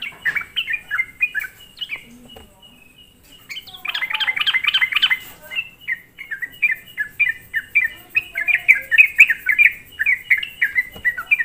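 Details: Sooty-headed bulbul lure song for provoking other bulbuls: bubbly falling notes, a brief quiet gap, then a dense burst of harsher rattling notes near the middle before the quick chattering series resumes.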